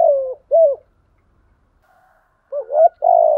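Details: Spotted dove cooing, used to stimulate a bird into calling: low, throaty coo notes with broken fragments at the start, a long gap of near silence, then a rolling two-part coo that ends in a long drawn-out note.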